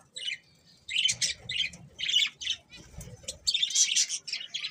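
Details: Budgies chirping in short, loud bursts of harsh, high squawks and twitters, separated by brief near-silent gaps, with a faint low rumble in the background.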